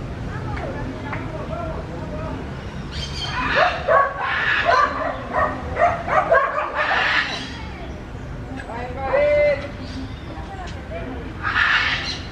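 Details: Macaws enjoying clods of earth give harsh, raspy squawks in loud bursts a few seconds apart, over a steady background murmur that may include human voices.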